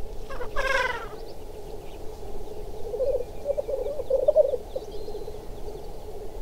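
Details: Black grouse during a chase and fight: a harsh, explosive hissing sneeze, a challenge call, opens, then several birds give a low, continuous, dove-like bubbling murmur that swells and fades throughout.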